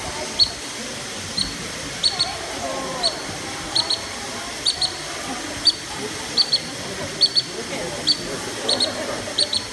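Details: A Black-necked stilt at the Nasu Animal Kingdom wetland, Japan, 13 August 2020, gives sharp, high yipping notes, singly or in quick pairs, about once a second, over a steady hiss, calling while leading toward the jaguar area.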